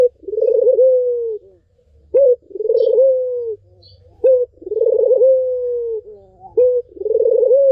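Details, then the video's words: Melodious Barbary dove song intended to stir a silent dove into singing. Brief abrupt notes precede long, rolling, throbbing coos that fall slowly in pitch. Three full phrases follow each other evenly with little background sound. "SUARA BURUNG PUTER MERDU"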